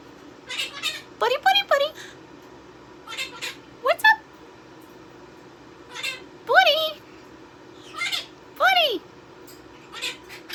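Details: A male pet Quaker parrot (monk parakeet) talks in short, nasal bursts, with meow-like rising and falling squawks.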